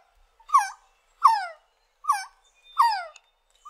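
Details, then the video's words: Resplendent quetzal uttering loud, clear, rough notes that dip and rise with bright overtones, repeated roughly every three quarters of a second in an otherwise quiet setting. "Resplendent Quetzal Sound & Call"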